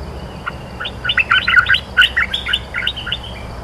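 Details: Cream-vented bulbul, a territory holder answering every phrase in a training recording, gives a lively chattering burst of short, bubbly whistled notes. They jump quickly between higher and lower pitches and peak mid-phrase over a steady low hum.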